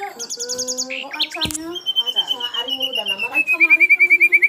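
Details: Energetic singing of an Asian brown flycatcher: a rapid burst of high trilled notes, a sharp click, then a long thin slightly falling whistle ending in a quick row of repeated chirps.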